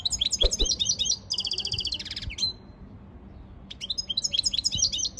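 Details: European goldfinch singing as part of training: fast twittering phrases, a dry buzzy trill in the middle, a short pause, then tinkling chirps resuming.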